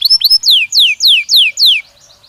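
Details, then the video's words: Belgian canary training stimulus: two short chips, then five loud, drawn-out downward-sweeping whistles at an even pace, fading at the end. "Som de estímulo que faz o canário belga responder imediatamente ao treino"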